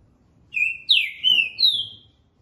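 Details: Green-winged saltator song in the dobra and boca mole styles: four strong whistled notes in quick succession, the first long and level, then swooping and slightly falling phrases, with a soft click partway through.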